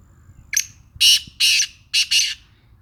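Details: Sindhi black francolin with a heavy voice gives a rasping phrase. A short lead-in note is followed by two broad grating notes and a final double-part note, all crisp against a quiet background.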